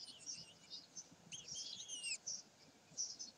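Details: Common kestrels recorded at Sägeweg on 27 May 2020 giving high, harmonic-rich wheezy notes, one long drawn call in the middle, then shorter high squeaks and faint background rumble.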